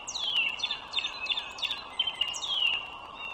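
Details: Wild bald eagle near the Dulles Greenway, Virginia, 21 March 2023, 09:15: a rapid series of shrill, downward-slurred piping notes, about six in three seconds, over a continuous low roar.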